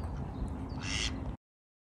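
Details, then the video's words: A single short, harsh mallard quack rises briefly above a steady low rumble of background noise. "Ducks Quack"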